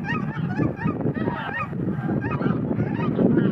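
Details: A flock of cackling geese taking off and flying, a dense chorus of many high, yelping honks overlapping without pause over a low rumble of wingbeats or wind.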